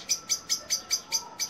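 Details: Common blackbirds alarming intensely in a Rockanje garden, 24 June 2021, at a sparrowhawk with prey in a pine: a rapid series of sharp, clicking chinks, about five per second, evenly spaced, over a faint steady hum.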